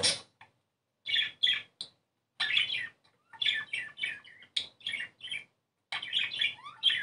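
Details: Budgerigar warbling song, played to stimulate breeding: bursts of scratchy, chattering notes with squeaky high chirps, coming in short bouts separated by brief pauses, in a small indoor room.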